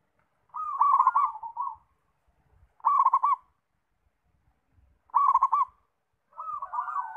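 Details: Zebra dove (perkutut), described as singing freely, repeats short loud bursts of rapid purring coos about every two seconds, the final phrase softer and more drawn out.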